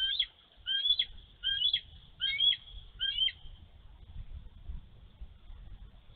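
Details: Bald eagle mother on a snowy Minnesota nest, March 11, 2023, warding off a young eagle near her egg. Five high, squealing chirp bursts come roughly every 0.7 seconds, then fade into soft wind.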